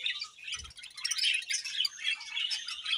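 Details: Budgerigars in breeding season chirping: a dense, continuous chatter of high twittering notes and warbles, with a brief low thump early on.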